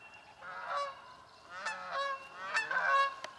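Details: Harsh, nasal honks from Canada geese squabbling for nesting places in swamp habitat, three strong calls rising in intensity over a few seconds, close and clear.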